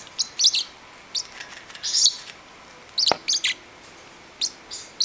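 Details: Young pet parrotlet indoors, wanting to play with another bird: scattered high, squeaky chirps in small bursts separated by quiet gaps, one sharp click midway.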